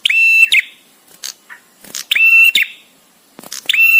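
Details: ['Visiting male bar-winged prinia, song with gaps, for master training. Piercing, ringing notes with strong overtones are repeated roughly every one and a half seconds. Faint clicks fall between them.']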